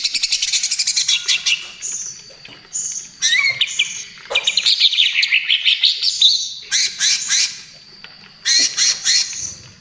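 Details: Greater green leafbird lure and therapy song, cucak ijo trotol type: rapid rattling bursts, long wavering whistled phrases and sharp high chips, arranged in short clusters with quiet gaps.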